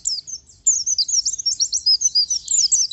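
Oriental white-eye singing a rapid, high, tumbling twitter of thin sweet notes, almost unbroken after a brief pause near the start.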